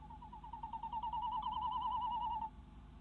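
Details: Tawny owl female calling from a nest box in the Netherlands at 10:23 pm, February 2016, as her mate brings a mouse: a fast, quavering run of repeated notes for about two and a half seconds.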